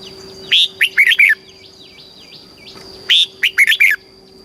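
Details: Red-whiskered bulbul from Thailand, played to excite and train caged birds in the southern master song style: two bright phrases of five quick whistled, warbling notes about two and a half seconds apart, faint chirps between, steady electrical hum.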